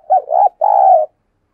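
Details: Decoy spotted dove, calling to draw a quick response from wild doves: one crisp phrase of a dipping first coo and a longer level second coo, clean and isolated.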